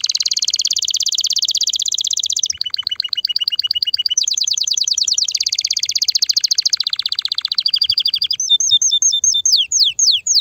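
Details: A strong, agitated canary singing to ready females for mating and nest building, chaining several rapid rolling trills at different pitches, then a slower series of sharp descending whistled notes.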